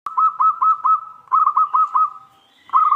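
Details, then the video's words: Local zebra dove song: quick runs of clipped, bubbling coo notes at a steady mid pitch, about five per burst, three bursts with short pauses between, a faint higher tone joining near the end. "Burung perkutut lokal terasan"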